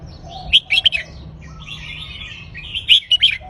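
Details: Counted-phrase song of a red-whiskered bulbul: a lively cluster of sharp whistles, a drawn-out higher warble in the middle, then another quick ringing phrase, with a low steady hum beneath.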